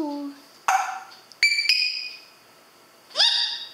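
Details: Pet grey parrot talking with its owner, using phrases such as "ang ganda mo" and "I'm a superstar": brief voice-like utterances, a clear high whistled note and a rising squeak, separated by pauses in a quiet room.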